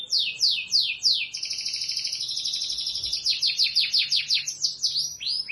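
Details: Canary singing a fast, continuous song: rapid trills of down-slurred high notes, a long sustained buzzy tone in the middle, then more quick repeated falling notes, about three per second.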